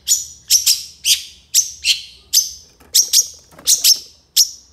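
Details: Long-tailed shrike singing a 'gacor' master recording full of 'isian' and 'tembakan', meant for training songbirds: sharp, high, down-slurred notes, some doubled, repeated about twice a second in a steady pattern against near silence.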